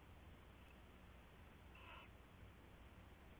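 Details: Owlets inside their nest box around 11 PM on 7 January 2016; a single short rasping screech sounds midway through heavy constant background hiss.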